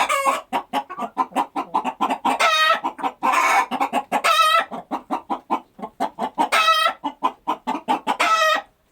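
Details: Several chickens clucking on a farm during daily activity: rapid short clucks in loose rhythm, broken by longer harmonic squawks with a ringing tone near the middle and end.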